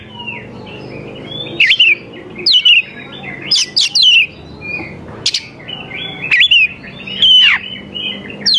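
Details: Oriental magpie-robin lure song for young wild birds: well-spaced loud whistled phrases with sharp downward sweeps over a faint background hum.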